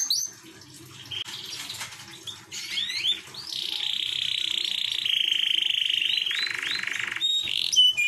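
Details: AF canary song for encouraging a female canary: subdued scattered notes at first, then a sustained buzzy rolling trill lasting several seconds that steps down in pitch and ends with sharp chirps.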